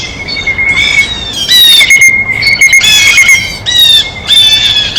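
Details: Blue jay (Cyanocitta cristata) at a feeder while feeding, giving loud, harsh, nasal squawks in bursts about every second, with a thin steady high tone underneath.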